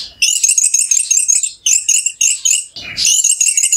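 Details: Orange-headed thrush lure song for provoking another bird to sing: dense, very high, twittering chatter in fast bursts separated by brief gaps, with one lower rasping note.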